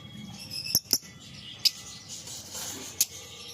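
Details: A grey yellow-faced lovebird gives four sharp, shrill chips, spaced irregularly over a few seconds, against a soft steady hiss.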